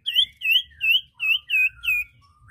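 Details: Common iora, male and female, delivering six full, clear whistled phrases, each an upswept-and-falling note with a softer lower tail, spaced about two per second, in quiet surroundings.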